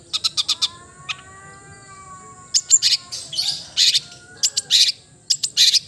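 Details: Long-tailed shrike (cendet) giving rapid ticking bursts and harsh chatter in quick clusters, while a faint steady whistled tone with overtones runs beneath.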